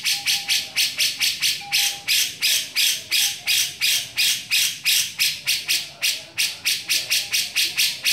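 Grey-cheeked bulbul giving harsh, hissing rasps in a rapid, steady run of about three per second, with a few faint whistled notes underneath.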